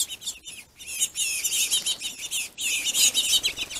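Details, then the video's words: Territorial finches fighting over food make a loud, continuous scratchy chatter of rapid harsh notes, about three a second, with one brief gap midway and a possible flutter of wings. "Pissy Finches"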